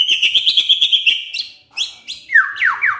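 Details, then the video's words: White-rumped shama, morning song used to stir a silent shama: a rapid trilled whistle run, then a pause and a few loud falling whistled notes. "Pancingan PAGI-PAGI AGAR MURAI GACOR❗ murai diam pasti ikut NYAUT EMOSI❗❗"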